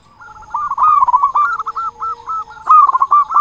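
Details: Local zebra dove with a loud, full voice, used as a lure to make other doves sing: a continuous run of quick, rolling cooing notes around one pitch, with emphasized bursts at the start and end.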